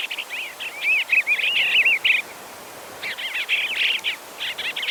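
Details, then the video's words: Bluebird song: soft warbled phrases of rising and falling whistles, delivered in two bursts with a brief pause between, over faint background hiss. "Have You Ever Heard a Bluebird Sound Like This?"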